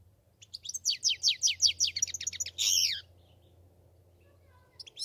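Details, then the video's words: A European goldfinch delivers a quick series of descending high chirps, about three per second, leading into a harsh buzzy burst, then falls silent until a final twitter. "Пение щегла"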